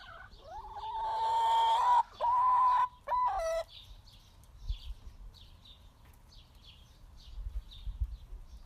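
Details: A long, steady, level call from a happy backyard chicken, held for two seconds and then broken into two shorter bursts, before quieter soft clucks and rustling sounds from the flock.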